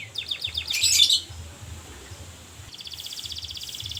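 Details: Canary in lively song: a quick high trill and a loud burst, a short quieter pause, then a rapid, buzzy trill of evenly repeated notes building toward the end over a low background hum.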